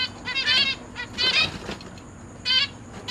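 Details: Caged zebra finches, parents with three juveniles and three new chicks that have left the nest, 29 September 2023: three rough, stacked nasal call bursts about a second apart, with light rustling between them.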